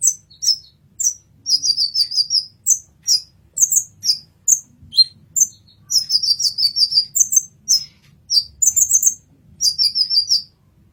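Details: Kolibri ninja, the olive-backed sunbird, singing a masteran tutor song: a long, lively string of piercing high chirps and rapid stuttering trills, nearly continuous, over a steady low hum.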